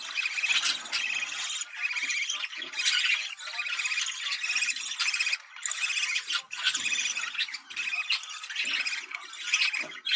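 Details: Budgerigar breeding-stimulation call: a bright, buzzy warble delivered in overlapping bursts, punctuated by sharp clicks and brief squawks, with hardly any pauses.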